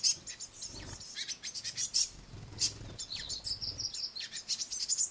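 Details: Noisy great tit brood on a window sill, a parent bird feeding them crushed madeleines: shrill high chittering and short descending squeaks, with low thumping sounds underneath.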